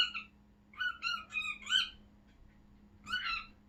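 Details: Excited pet cockatiel indoors, watching wild birds through the window: a brief squawk, then a run of four harmonic chirps climbing slightly, a pause, and one more loud burst; low background hum.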